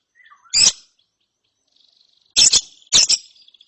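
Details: ['After therapy a young lovebird chirps in ngeriwik style. Three loud, harsh, high squeaky bursts follow a soft faint note at the start. The second and third bursts come close together.']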